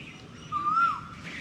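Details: Asian koel in a spring Palash (flame-of-the-forest) grove with date palms at Belur, Howrah, West Bengal, with people around: a single clear whistled note that rises, then dips away, over soft background noise.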